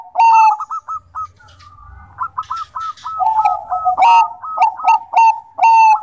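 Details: Bangkok-type zebra dove (perkutut) singing hard: burry crackling coos, rapid chains of short hooked notes, and loud harsh phrases returning about every half second, with a faint low hum partway through.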